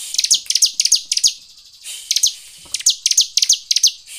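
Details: Bar-winged prinia, used to lure other birds into singing: clusters of sharp, high, descending double chips, roughly three per second, with a short pause in the middle.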